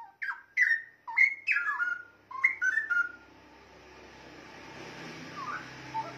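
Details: Song of the straw-headed bulbul, played for tutoring cage songbirds: a run of loud bubbling whistles with swooping downward slurs over three seconds, then a soft hiss of background noise with a faint rising note.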